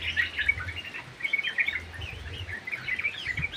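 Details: Chattering song of a yellow-vented bulbul kept in an aviary: quick, bright bubbling notes in bursts, pausing briefly around one second and again near two and a half seconds.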